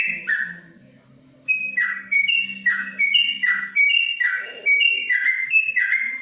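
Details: After a quiet moment with distant talk, a yellow-vented bulbul in a covered cage in Kebumen resumes ropelan panjang song, a brisk series of paired whistled notes, high then lower.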